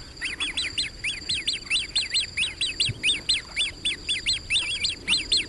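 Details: Great crested grebe: a clear, steady stream of sharp, high, arched notes, roughly five every second, each rising then falling, with a faint high hiss.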